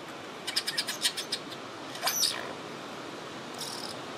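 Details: Superb lyrebird: a quick run of about eight sharp, high clicking notes, then a loud sweeping note that falls in pitch, and finally a brief faint high whistle, over steady background hiss.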